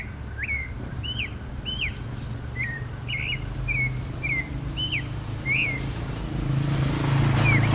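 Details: Clay-colored thrush (yigüirro), national bird of Costa Rica, repeats sharp hooked whistles at a brisk uneven pace for about six seconds, then pauses; constant low rumble underneath and a rising hiss near the end.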